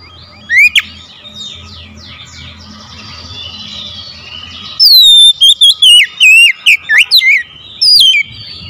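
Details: Oriental magpie-robin song intended to trigger mute birds to reply: soft scratchy warbling and one sharp whistle over a low hum, then a sudden loud series of rapid, varied whistled notes, zigzagging up and down.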